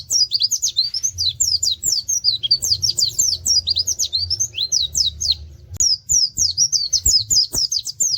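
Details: Pleci (white-eye) singing in the tembakan style with canary-like 'wit wit' notes: a rapid, unbroken stream of high, thin, slurred chirps and twitters, briefly pausing near the two-thirds mark, over a faint low hum.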